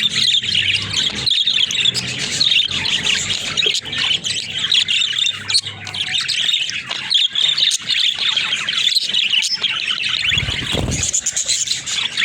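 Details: Flock of pet budgerigars, described as talking, chattering steadily for twelve seconds with scratchy warbles and sharp squeaks. Low hum early on and a brief low thump near the end.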